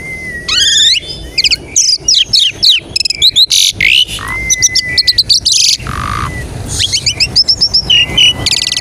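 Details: Dense Asian pied starling song used as a lure to set other starlings singing, packed with sweeping whistles, buzzy rasps, clicking rattles and rapid chatter, flowing almost without break.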